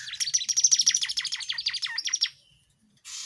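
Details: Tledekan jati in lively gacor song used as a tutor for other songbirds: a rapid even trill of high notes, roughly eight per second, descending slightly over two seconds before stopping, then a brief hiss.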